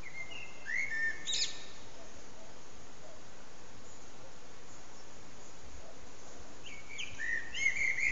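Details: Common blackbird's evening song at sunset, captured with an HTC Desire phone: a short fluted phrase ending in squeaky twitters, a long pause of faint hiss, then another whistled phrase.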